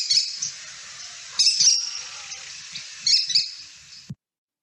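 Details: American kestrel (Falco sparverius) in the Boise, Idaho area gives its loud, agitated call: three shrill bursts of rapid high notes, repeating about every one and a half seconds.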